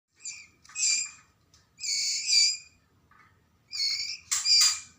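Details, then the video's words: Young white-rumped shama of the Medan type, from Lamongan, East Java, giving harsh, raspy, high-pitched calls in short bursts, some paired, about one every second or two, with faint low rumble underneath. "Anakan Murai Batu Medan"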